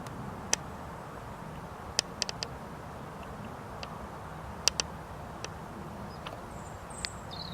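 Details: A European robin singing on the Camino de Santiago at Zamudio on 21 March 2019 gives sharp, irregular ticking clicks and a few thin, very high whistles near the end, over a steady low rumble of traffic or wind.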